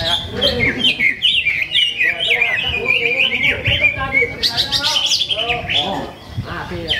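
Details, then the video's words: Greater green leafbird, a competition bird that took first place at a Ramadan practice contest in Sungai Batang Jawai, singing a fast run of high, varied chirps and slurred notes, with a busy contest background of voices and other birds. "Aksi Cucak Ijo"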